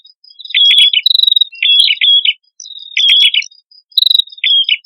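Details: Prinia known locally as prenjak kepala merah, male and female together, singing as a bird lure: clipped high notes run into rapid buzzy trills, grouped in phrases about a second long with short gaps between.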